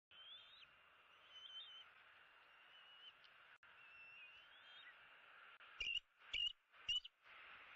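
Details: Bald eaglet, 75 days old, at its nest in Southwest Florida on March 16, 2017: faint thin whistles, then three loud sharp chirping notes about half a second apart, over a steady insect-like hiss.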